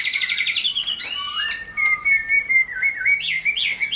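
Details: Chinese hwamei, a hand-tamed cage bird, gives a fast buzzy trill, then a long level whistle breaking into wavering, looping notes that rise higher at the close.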